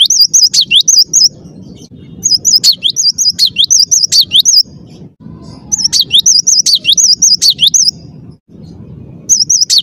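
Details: Persistent cinereous tit (gelatik batu) song: repeated bursts of brisk, high, undulating whistles with steep downslurs, four phrases in about ten seconds with short gaps and a steady low rumble beneath.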